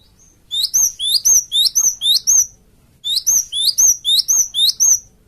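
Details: Gelatik batu (cinereous tit) lure call, used to make flocked birds answer: two bursts of about eight rapid, high whistled notes, each one sweeping sharply, separated by a short pause.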